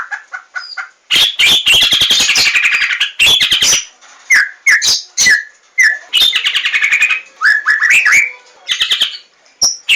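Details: White-rumped shama delivering an energetic song: short whistled notes, then dense rattling bursts mixed with fluty downslurs and crisp ticking sounds, repeated in varied sequences.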